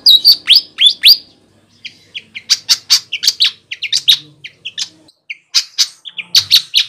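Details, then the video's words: Lively flycatcher calls used to lure birds in the wild: sharp high chirps and quick down-slurred notes in bursts, a short pause, then rapid irregular chirping through the rest. "suara burung sikatan gacor cocok untuk mikat di alam liar"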